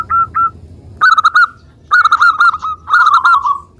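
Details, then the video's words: Zebra dove, a local bird, singing to provoke others into reply: two soft single coos, then three rapid phrases of clipped staccato notes flowing into a rolling, slightly falling trill. "Perkutut Lokal Suara Gacor - Untuk Pancingan"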